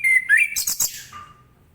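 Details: A morning phrase from an orange-headed thrush, sung so other birds respond: two sliding whistles, a harsh buzzy burst, then a low whistle trailing away.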